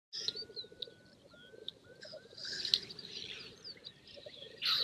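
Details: Black grouse on the lek on open moorland before dawn, challenging for territory and the attention of females: a low, continuous pulsed bubbling runs throughout, broken by brief hissing bursts, while other birds whistle and chirp higher up.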